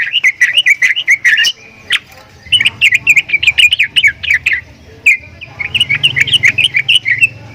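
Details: Javan myna (jalak kebo) uttering strange sounds: dense runs of squeaky, chattering whistles broken by brief pauses, over a steady low mechanical hum.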